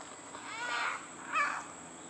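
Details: Great green macaw in Costa Rica calling to announce its arrival at Pierella Ecological Garden: two harsh, raspy squawks about half a second apart, fairly faint, over a quiet background hiss.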